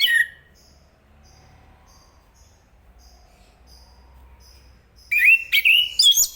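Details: Zoothera interpres, the chestnut-capped thrush, gives a whistled note, then falls quiet with faint distant chirps, before a fast phrase of sharp, up-and-down whistles at the end.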